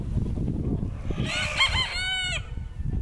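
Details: Rooster among decorative Brahma and Pavlovskaya breed chickens, Altai, February 2016, crows once: a loud, rich, hoarse call lasting about a second, broken into several wavering syllables and ending in a drawn-out falling note, over low rumbling background noise.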